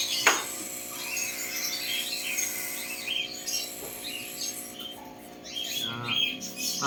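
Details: High, scratchy chirps from three young Cockatiel chicks being hand-fed run on without pause, over a steady electrical hum with a clink of glass and a brief voice.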